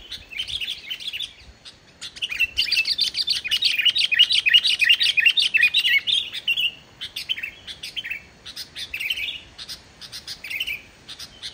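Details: Energetic Sooty-headed bulbul song without borrowed phrases, used to prompt quiet bulbuls to sing: a fast, continuous stream of high chirps and twitters that swells, then breaks into shorter bursts.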